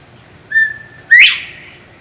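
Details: Whistled call of a male northern bobwhite at a southwest Florida feeder: a level, pure first note held briefly, then an emphatic upward-swooping whistle, loud and ringing, against a quiet background.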